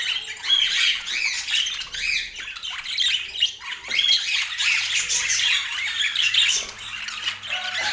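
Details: Budgies in Portland chirp and squawk in lively, uneven bursts of raspy warbling over a faint low hum, the calls rising and falling in loudness.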